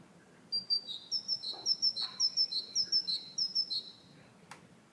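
A great tit sings a bright, ringing two-note phrase, high then lower, repeated quickly about eight times in a run of four seconds, with a faint click after.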